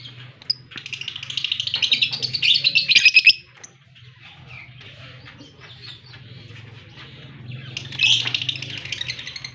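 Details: Fischer's lovebird paired with a blue personata lovebird, kept birds in Larkana, Sindh, recorded October 20, 2023, while kissing; dense high twittering chatter for about two seconds, a pause, then a shorter burst near the end over a low steady hum.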